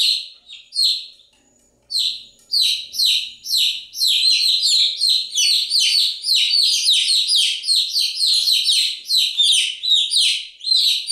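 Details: Continuous chirping of chicks, starting with a few spaced peeps, then a brief pause, then an unbroken stream of shrill, falling chirps that grows denser toward the end.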